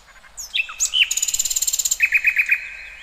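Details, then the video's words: Wild bird singing in nature: rising and falling whistled notes, then a fast buzzy trill of about fifteen pulses, ending in a run of sharp repeated chirps. "Kicauan Burung Cerminkan Suasana Damai"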